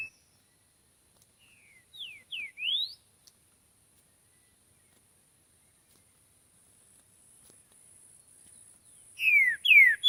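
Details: Green-winged saltator singing in nature: two short bursts of loud, clear whistled notes sweeping steeply up and down, one phrase early and another at the very end, with near silence between.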